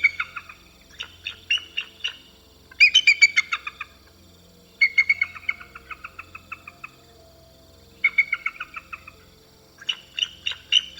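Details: In Canada, a Bald Eagle gives high, thin, staccato piping notes in rapid bursts about a second long, each burst trailing off before a short pause.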